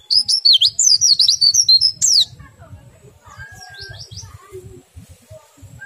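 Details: Oriental white-eye in ngerol nembak song, used to make other white-eyes join in: two seconds of loud, fast, wavering twittering chirps, then quieter scattered chirps and a lone level whistle, with faint low thuds throughout.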